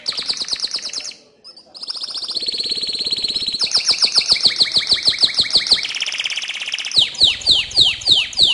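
A canary sings a bright, rolling courtship song of fast trills and high whistled phrases.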